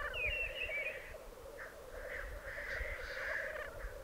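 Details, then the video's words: Black grouse lekking at a display arena in the Piedmont Alps, Italy, recorded over two days: a steady low bubbling roll runs throughout beneath harsh hissing rushes and scattered higher calls. "Parate dei Galli Forcello"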